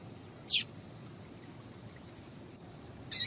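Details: Female papa-capim seedeater call, played to get males singing: two brief, bright, high chirps roughly two and a half seconds apart over a faint low hum and steady high hiss.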